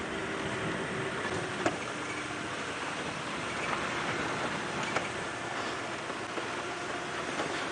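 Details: Steady vehicle rumble and hiss with occasional short knocks and no animal calls.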